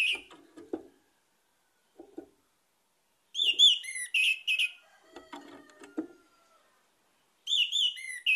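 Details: Lure song of an orange-headed thrush, meant to coax other birds into singing: bright, rapid whistled phrases with sharp up-and-down slurs, mixed with low clicks, knocks and a thin drawn-out tone, then a fresh burst of whistles.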